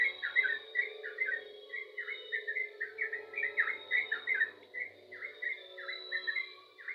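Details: Lively yellow-vented bulbul song, a continuous chain of short gurgling, slurred whistles in quick succession, with a constant background hum and thin high whine.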